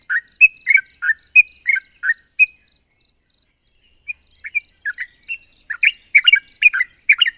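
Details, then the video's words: Sooty-headed bulbul in lively full voice, calling a rival: short liquid whistled notes in bursts, a pause near the middle, then a quicker run of bubbly rising and falling notes. "suara burung trucuk gacor memanggil lawan"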